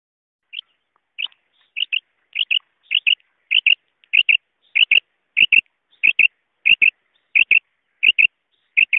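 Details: Female quail calling, recorded in 2023 for quail hunting. Short, sharp paired notes repeat steadily about every half second, the pairs growing louder after the first few single notes, with no other sounds.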